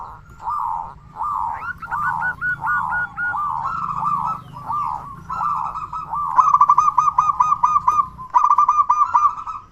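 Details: Zebra dove, a loud, actively singing local bird, used as a lure to make other doves call and to stir breeding urge; stuttering, trilled coo phrases repeated in quick succession, some phrases overlapping with a second cooing voice.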